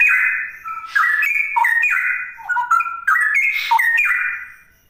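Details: Cucak rowo, the straw-headed bulbul, in fast 'ropel' song: mellow whistled notes stepping up and down in quick linked phrases, brief pauses between bursts, clean background.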